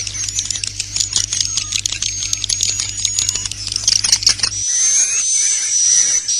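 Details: Internal 'inap' lure sound for swiftlets, used to draw them in to roost. Quick, high, clicking chirps crowd the first four and a half seconds, then switch abruptly to a smooth, high, wavering whistle. A faint low hum continues.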